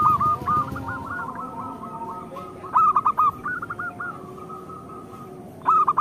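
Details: Song of a local zebra dove, meant to get lazy or molting birds singing again. A trailing cooing series fades out, then short crisp four-note phrases follow at intervals of a few seconds.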